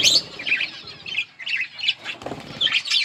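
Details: Yellow budgerigars chirping in short, bright bursts of twittering, each cluster separated by brief pauses.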